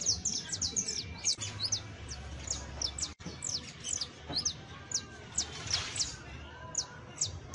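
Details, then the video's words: Saffron finch (Sicalis flaveola), song offered as a model for training a criollo canary: rapid series of high, sharp, descending chips, closely spaced and uneven, with faint low background hum. "EL CANTO DE ESTA AVE VA A SERVIR PARA AYUDAR A TU CANARIO BASTO CRIOLLO [Sicalis Flaveola]"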